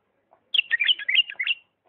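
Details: Bulbul from Diyala singing in the 'lisanat' style, a fast chattering phrase of slurred, warbling notes about one second long, preceded by a faint soft chip.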